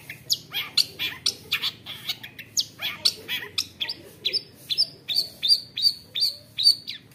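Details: Long-tailed shrike, caught young in the forest, singing an agitated fighter song with rich mimicry: a rapid run of varied harsh and whistled notes, ending in quick repeated high sharp chips, over faint low hum.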